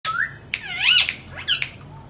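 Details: Indian ringneck parakeet kept at home, talking and making sounds: a long whistled note followed by harsh rising-and-falling squawks with many harmonics, then a sharp burst, in a quiet small room.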